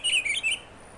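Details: A brief pine grosbeak song fragment in the Cascades: three quick, sweet warbled notes, high and slightly rising and falling, over quiet background.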